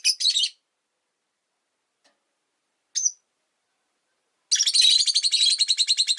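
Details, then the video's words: Pet rosy-faced lovebirds, five in a cage beside a window: a burst of harsh chirps, a single thin note, then a long fast rattling chatter of rapidly repeated high notes. "Lovebird Chirping Sounds"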